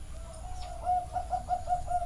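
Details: A zebra dove, recorded live at a bird farm in Chana, Thailand, gives a soft drawn-out coo that breaks into a rapid staccato string of about six bright pulsing notes.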